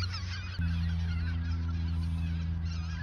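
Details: Flock of geese in Ochsenmoor nature reserve, autumn 2022, shortly before the southward migration; continuous overlapping honks, joined after half a second by a strong steady engine-like hum.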